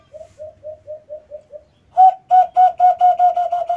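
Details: A brown dove (alimokon) gives a quick run of soft, hollow hoots, about four a second, then a louder, fuller series at the same pace.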